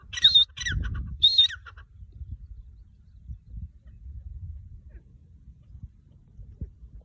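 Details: Partridge giving three loud, harsh, squawking notes in quick succession at the start. Quiet low rumbling and faint background noise follow.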